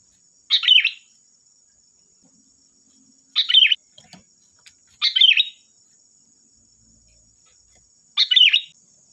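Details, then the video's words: Sooty-headed bulbul (kutilang) song used as a lure to draw other birds into singing: four short bubbly warbled phrases, each about a third of a second, spaced two to three seconds apart, over a steady high electronic hiss. "Suara burung Kutilang Gacor || Suara pancingan Kutilang bahan"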